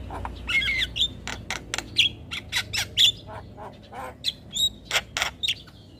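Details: Black-winged myna lure song for a stressed bird that no longer sings: quick run of sharp clicks and harsh squawks interspersed with brief whistled notes, about two bursts per second, over a low steady background hum.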